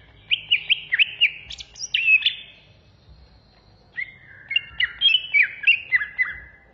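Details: Greater green leafbird of the Banyuwangi variety singing in an agitated, fierce 'ngentrok ngamuk' style. Rapid, loud whistled and chattering phrases with sharp slurred up-and-down notes come in two bursts about a second apart, with faint low background rumble.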